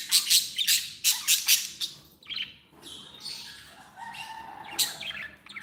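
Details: Happy pet budgerigars give a quick series of sharp, harsh squawks in the first two seconds, then softer overlapping twittering and another loud squawk near the end.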